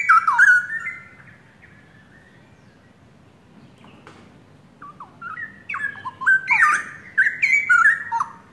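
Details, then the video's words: Active singing from a young captive pair of straw-headed bulbuls taken from the forest, Indonesia. A short bubbling phrase opens, then a quiet pause, and a louder run of fluty, tumbling notes builds toward the end. "Cucak Rowo Pasangan Muda Hutan...Gacor..."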